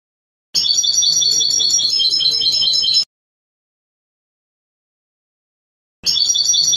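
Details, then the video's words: A European goldfinch in its Trnan song, taken from a 2020 CD, pours out a steady, rapidly repeating high jingling trill for two and a half seconds, then stops dead before starting again. "Trnan Stiglic Stieglitz jilguero cardellino"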